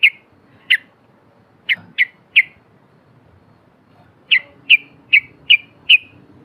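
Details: Yellow-vented bulbul recording used as a lure to prompt silent birds into song; single sharp, bright chip notes repeated irregularly, in two loose series of five, against quiet background noise.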